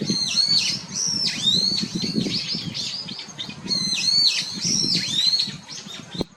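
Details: Brown-eared Bulbul, a familiar wild bird of Japan, giving loud shrill calls with harsh downslurred squeals, several in quick series repeated twice, over a steady low rumble of background noise.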